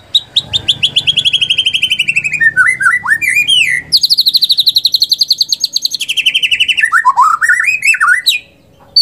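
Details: Murai batu, or white-rumped shama, song used as a lure: long rapid trills of evenly repeated notes, first steady and then dropping into twisting whistles, broken by a brief pause before another fast trill.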